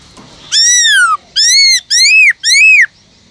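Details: Four loud, clear arched whistles from a caged Black-throated Laughingthrush singing in forest voice to stimulate other birds. The first note is long and slides downward, the rest come quicker.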